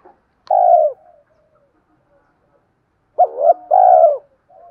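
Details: Spotted dove call, played back to lure wild doves: a long, hollow, rolling coo that slides downward, a pause of over two seconds, then a short hooked note and another drawn-out falling coo, with no background sound.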